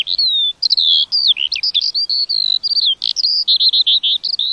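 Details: A lark gives a falling whistle, then a rapid chain of high chirps, buzzy trills and sustained shrill notes, warbling on continuously without pause.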